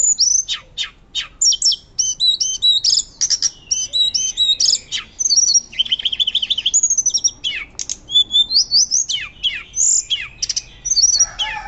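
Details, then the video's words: Long, loud fluting song by a hill blue flycatcher, used to train other birds: dense high chattering notes and sharp slurs, a lower warbled passage midway, then more varied whistles and twitters. "Tledekan Gunung Gacor Nyuling Keras"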